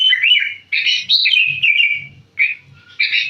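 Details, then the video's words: Sooty-headed bulbul in full song: rich bubbling whistled phrases with rolling, slightly buzzy notes, paused briefly, then resumed, over soft low murmurs. "burung kutilang gacor"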